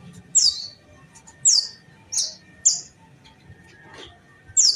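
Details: Indonesian kolibri ninja sunbird in a fighting bout: isolated shrill notes that drop sharply in pitch, spaced about one second apart, six in all, over a quiet low background hum.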